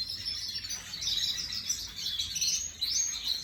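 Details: Canary imported in 2024 and kept as an ornamental bird, recorded 18 May 2025, giving a short burst of high, rapid trilling song with upward-sweeping notes.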